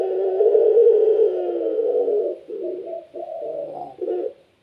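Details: Puter pelung, a pet Barbary dove valued for its vigorous calling, gives a long sustained low coo followed by a string of short bubbling coo notes.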